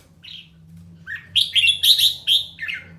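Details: Red-whiskered bulbul in song training gives a soft opening note, then a rapid string of loud, sharp whistled syllables over a low background hum.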